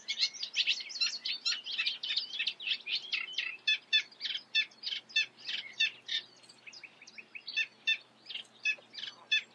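Eurasian reed warbler singing a fast, chattering stream of scratchy, high notes, each phrase repeated two or three times before switching, with no other sounds.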